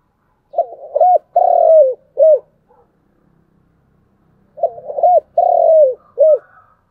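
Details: Two repeated cooing phrases from a spotted dove in the chiêu and thúc styles, about three seconds of quiet between, each with soft intro, short coo, long buzzy coo and brief closing note.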